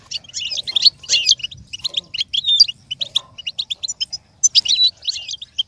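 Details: High, tinkling goldfinch twitters and buzzy trills delivered in clustered phrases with short gaps, intended to help a goldfinch learn and copy song, with a faint steady hum behind.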